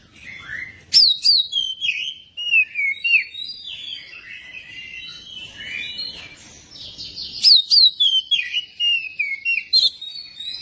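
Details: ['Oriental magpie-robin song used to stimulate another bird to sing: two loud bouts of fast, varied whistles, each starting with a high sharp note and cascading down, joined by softer continuous chattering.']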